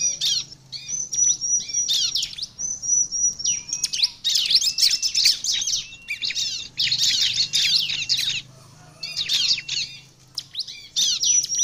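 Bar-winged Prinia in lively, high song: rapid repeated chips and thin whistled notes in dense bursts, pausing briefly between phrases.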